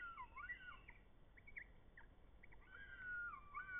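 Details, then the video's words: Red kites in the Eifel, Germany: mid-pitched wavering whistles with short, broken notes in between. Near the end comes a longer, level whistle with quavering turns, over quiet background noise. "Red Kites, Rotmilane."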